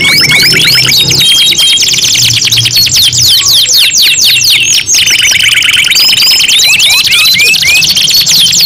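Loud, continuous canary song: fast rolling trills, repeated rising whistled notes and buzzy chatter, densely layered as if several birds or tracks overlap.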